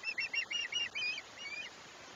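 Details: Osprey at its Chesapeake nest on 21 July 2021, giving a quick run of high whistled chirps for about a second, then a pause and two weaker drawn-out chirps, over steady background hiss.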